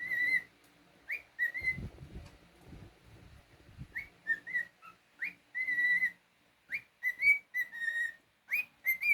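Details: Cockatiel kept at home whistling a repeated tune of upward slurs and sustained tones, phrases recurring over several seconds, with low human voice murmuring in the background.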